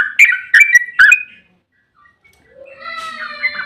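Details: Yellow-vented bulbul lure song: three quick bursts of bubbly slurred whistles in the first second, then quiet, then a softer, thinner harmonic warble fades in.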